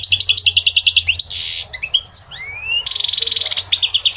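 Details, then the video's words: Dense goldfinch song of rapid repeated twitters broken by nasal buzzy stretches, long upward-sliding whistles and a fast rattling trill near the end. "Singing the goldfinch is amazing song"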